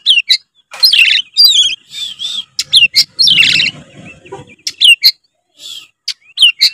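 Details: Song of a white-rumped shama, played to get a lazy young bird singing; fast mix of clear whistles, chattering bursts and sharp ticks, with a soft low rumble in the middle.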